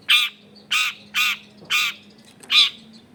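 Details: Long-tailed shrike vocalising as a lure to set off other shrikes, recorded in a busy residential area: five loud, harsh, nasal squawks spaced about half a second apart, a faint steady hum beneath.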